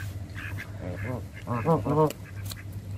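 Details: A Canada goose being hand-fed gives about five short, nasal, rising-and-falling honking calls in quick succession, over a steady low hum.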